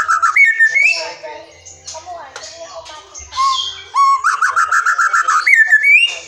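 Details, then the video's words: Forest white-rumped shama song meant to provoke silent or young birds into singing: varied whistled phrases with sliding notes, a faint low hum, then a fast repeated trill and rising whistles. "SUARA MURAI HUTAN GA ADA LAWAN, SIAP PANCING MURAI BISU DAN BAKALAN"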